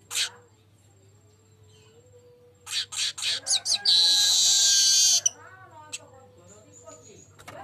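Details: Golden-headed weaver singing strongly, meant to lure other birds: a lone high note, then a run of quick chattering notes building into a long loud sizzling wheeze that breaks off into softer twitters. Low hum throughout.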